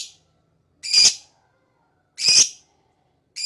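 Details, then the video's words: Shrill, rasping lovebird squawks, each about a third of a second long, spaced roughly one and a half seconds apart against silence. "Lovebird Singing & Chirping Sound"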